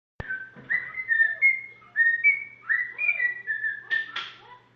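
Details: A pet cockatiel sings learned tunes (Addams Family, If You're Happy and You Know It) to a budgie companion, a clear, warbling song of sliding notes near two kilohertz.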